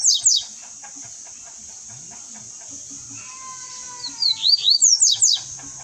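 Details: Caged double-collared seedeater passing on its song. A brief pair of high slurred notes opens, a soft steady lower whistle follows, then a fast chattering phrase of high sweeping notes. Faint low background noise throughout.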